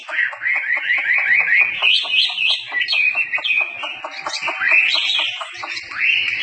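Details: Chinese hwamei, a tame bird in full, vigorous song, pours out loud, melodious whistles that rise and swoop, mixed with rapid staccato notes and mimic-like phrases in a continuous flowing stream.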